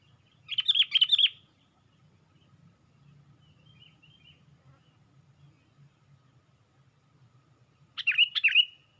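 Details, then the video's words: Sooty-headed bulbul lifting its wings on a branch, heard as a lure call: a short burst of quick, sharp chirping notes, then a long quiet gap with low hum, then another brisk chirpy burst. "Pikat Burung Kutilang"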